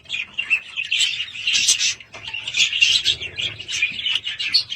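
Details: Budgerigars in a home chatter in rolling, squeaky warbles and quick chirps, rising and falling in loudness.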